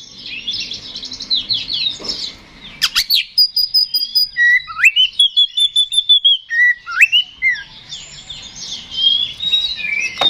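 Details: Aggressive Oriental magpie-robin (kacer) song played to provoke rivals. Scratchy warbling is interrupted by sharp clicks, then a fast series of pulsed whistles and slurred rising notes, with warbling resuming at the end.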